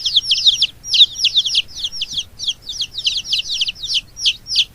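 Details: Domestic chicks peeping in a dense, continuous chorus: many overlapping high, sharply falling notes, several per second, with no other clear sounds.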